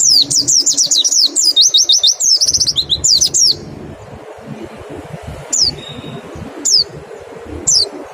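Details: Mountain white-eye singing rapidly in the 'nembak' style as a singing lure: fast, high, tumbling whistled notes for about three and a half seconds, then three lone sharp notes about a second apart.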